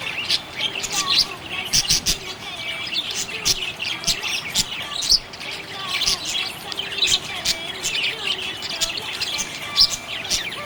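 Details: Happy budgerigars chirping: dense, continuous chatter of short high buzzy notes and bright clicks, with brief whistled rising and falling notes, several birds overlapping throughout.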